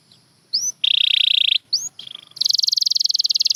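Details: Canary singing short upward chirps between loud buzzy trills, ending in a fast pulsed high roll, with a low background murmur.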